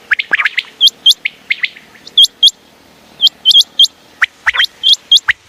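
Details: Common quail calling, presented as a call for night use: sharp, high hooked notes given in quick pairs and short runs, separated by brief pauses, with scattered lower chirps and buzzy notes from other birds mixed in.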